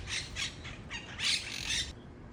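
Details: Wild Monk Parakeets giving harsh, raspy squawks, about five short bursts in quick succession, loud and grating with little pause between them.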